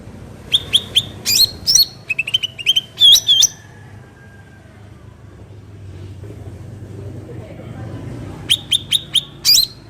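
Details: Cucak ranting bulbul in natural surroundings, calling in quick runs of high, clipped notes and slurred double chirps, then several seconds of quiet background rumble before another short burst.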